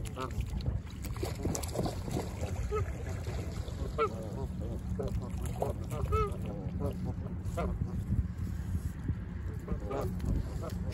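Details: Several Canada geese calling on an autumn lakeshore at Humber Bay Park, Toronto, beside Lake Ontario; scattered overlapping honks through the clip, some paired in quick bursts, over constant low wind and shoreline rumble.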